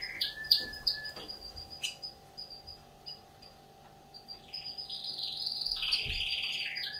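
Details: Young canary starting to sing: short whistled notes and a buzzy phrase, a pause, then a long rolling trill with warbled notes near the end, over a steady low electrical hum.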